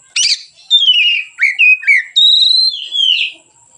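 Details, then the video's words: White-rumped shama's relaxed song, used as a lure to teach other birds: a sharp burst followed by long, clear whistled notes sliding downward, ending in a sustained level whistle that drops away. "suara Kacer ngeplong santai, pancingan / masteran Kacer"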